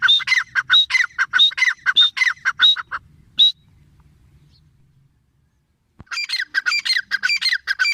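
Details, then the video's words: Teetar, grey francolin, delivering loud repeated harsh calls with a ringing higher note, a pause of near silence, then the calling bursts out again. "Teetar sound // teetar voice // gray francoline // teetar awaz"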